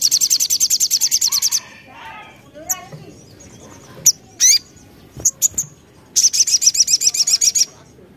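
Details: Crested Jay (sogon) in full, energetic voice, used as a lure to provoke other sogon into answering: a fast, dry, high rattle lasting about one and a half seconds, a few scattered sharp notes, then another long rattle.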